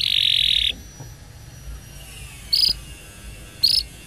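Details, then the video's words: Canary lure recording used in training young pet canaries that have stopped singing: opens with a dense buzzy trill lasting under a second, then silence broken by two brief, bright, high chirps about a second apart. "CUIT CUIT PANCINGAN Kenari Gacor Panjang !! KENARI PAUD NGERIWIK & Macet Bunyi Nyaut"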